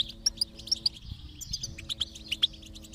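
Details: Stimulation song of a goldfinch: spaced sharp high chirps, then a faster run of bright twitters, above a faint continuous low hum.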